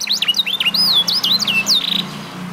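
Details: F1SF canary, eight months, after mastering training: a brief phrase of sweeping whistled loops ending in a buzz, with a low hum underneath.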